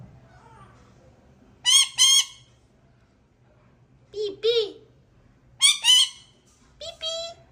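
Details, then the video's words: Calling male parrot seeking his partner: loud rasping squawks delivered in pairs, three such bursts spaced a couple of seconds apart. A lower, bent note sits within one pair and a brief flat tone closes the sequence. "Male Parrot Calling his partner."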